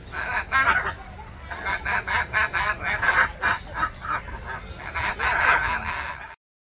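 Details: Three captive Hyacinth Macaws eating and 'talking' at Odense Zoo, Denmark, on 13 May 2023: a run of hoarse, nasal, honking squawks, roughly three a second, over a low murmur, stopping abruptly.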